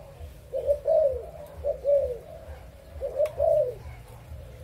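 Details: Adult spotted doves of Malaysian and Thai stock, recorded on 22 January 2022, giving soft low cooing phrases of two to three hollow notes, repeated with pauses, over a faint low hum.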